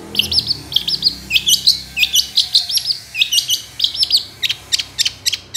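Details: Long-tailed shrike song meant to coax silent shrikes into singing: short chattering phrases of high, scratchy, twisting notes, closely repeated with brief gaps between them.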